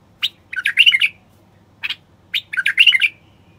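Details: Male common bulbul singing to stimulate silent wild bulbuls to sing and mate, described as an authentic Moroccan bulbul; short sharp note then a rapid warbled burst of chirps, repeated twice with a brief single note between.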